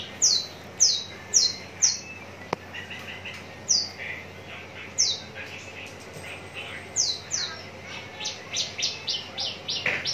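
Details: Javan bush lark at Citra Raya, Cikupa, Tangerang, contest-ready, giving spaced high descending whistles, a click, softer mid-pitched chirps, then a quicker closing series of short high notes.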